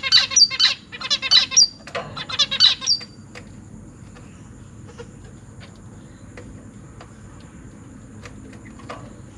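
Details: Caged zebra finch family in a large cage, parents busy feeding newly hatched and juvenile chicks that have just left the nest. Harsh, high chirps in rapid bursts for about three seconds, then only faint scattered chirps over a steady background hum.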